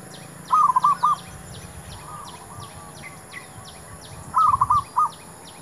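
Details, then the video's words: Zebra dove singing while luring wild doves for trapping. Two clear phrases of rapid, rolling coos about four seconds apart, with softer cooing between them and continuous rhythmic insect ticking behind. "MEMIKAT MERBUK"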